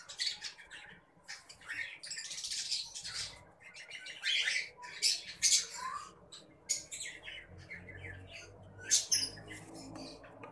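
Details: Several pineapple conure parrot chicks calling with dense, scratchy, hissing squawks in clustered bursts, loudest around the middle, plus occasional wing flutters and rustling.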